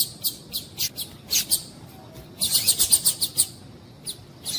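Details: Female Double-collared Seedeater calling, used to stir males into song: short, thin, high chips, first spaced out, then a quick run of about eight in under a second.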